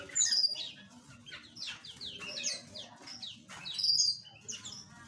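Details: Several small aviary birds call at once, a dense stream of thin, high, sliding tweets with brief louder bursts, over a faint low rumble.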